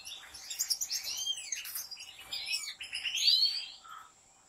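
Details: European goldfinches kept by professional breeders in a large aviary: dense, overlapping twittering song with quick high chirps and tinkling trills, several birds calling at once, with a steady faint background hum.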